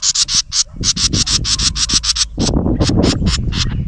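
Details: An agitated house wren at its nest, recorded close up, gives a steady train of rasping chatter notes about five per second. Louder rough rustling noise joins halfway through.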